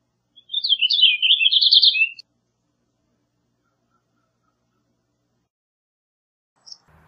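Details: Purple finch singing: a rapid, bubbly warble of slurred high notes lasting under two seconds, rising and falling, with a brief trilled ending, followed by silence.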